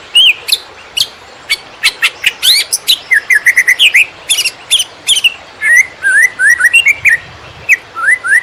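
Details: Greater green leafbird performing "konslet" song used to tutor field-caught birds: scattered sharp clicks and downward whistles mixed with short paired rising chirps, delivered in irregular bursts over several seconds.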